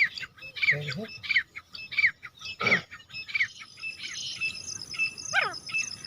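Partridge giving harsh, high repeated calls about every second, with a steady whine and other bird chatter behind.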